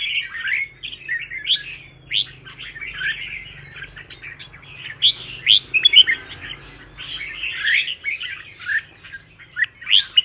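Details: Contest-style fighting song of red-whiskered bulbul, used in training caged birds to sing and fire up wild-caught ones: rapid, lively warbled and chirped notes in clustered bursts, growing denser and louder after the fifth second.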